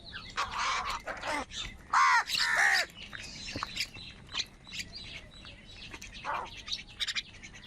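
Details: Harsh, hoarse caws from crows fighting for food. One loud pair of calls near the middle stands out over softer, scattered calls and outdoor noise.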